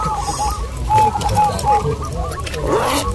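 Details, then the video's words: Zebra doves, local birds, singing at a contest in Bukit Mengger, Bantul, Yogyakarta; brief cooing phrases with a few clear pure notes, overlapped by other doves and talking people. "GACOR DOOR❗ Lomba perkutut lokal"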